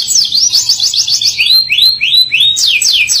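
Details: Canary singing in the vigorous Indonesian 'gacor ngerol nembak' style, rolling and shooting: a fast series of high down-slurred notes, then loud rising sweeps repeated about every half second, with a faint low hum beneath.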